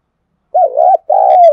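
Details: Spotted dove used as a decoy for wild doves, thúc and calling coos; a low throaty coo rising and dipping, a short pause, then a longer level coo cut off at the end, with faint high chirps overhead.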